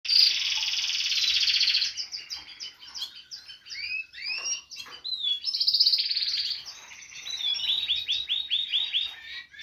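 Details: Caged European goldfinch babbling: a dense, fast, high twittering run of buzzy trills, chattering notes and quick rising and falling whistles. It swells loud at the start, dips, then builds again in long continuous phrases.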